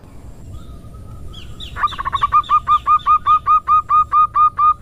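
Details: Lure call of a female zebra dove, opening with soft thin notes, then breaking into a steady run of short rolling coos repeated more than twice a second, growing louder toward the end.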